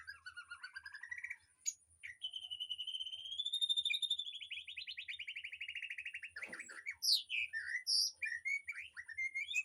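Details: Aviary birds singing, used as tutor song for a white-rumped shama: a long rising warbled trill swelling then fading, followed by sharp varied chirps and whistles.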